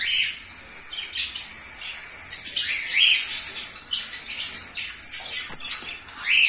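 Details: New breeding pair of ringneck parakeets, turquoise-blue male with albino female, calling in shrill, grating squawks and chattering screeches, clustered in rapid runs with short quiet gaps.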